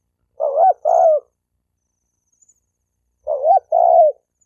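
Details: Two double-noted coos from a spotted dove, used to stir males and females into fighting; each pair pairs a quick hooked note with a drawn-out wavering coo, with a long silent gap between.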